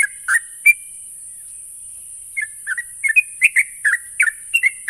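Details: Sooty-headed bulbul song used to coax a trainee bird into continuous singing. A few bubbly notes, a pause of over a second, then a burst of rapid fluty chirps with steady faint hiss behind.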